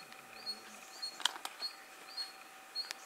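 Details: Red-gorgeted Flycatcher in Thailand: thin, high whistled notes, each short and level, repeated roughly every 0.8 seconds over a quiet background with a few sharp camera clicks.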